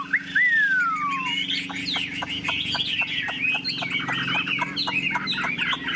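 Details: Caged Chinese hwamei, a tame yellow-billed bird in a hand-carried cage, tail spread, singing: a long falling whistle, then a run of quick, choppy, bright notes over a low steady hum.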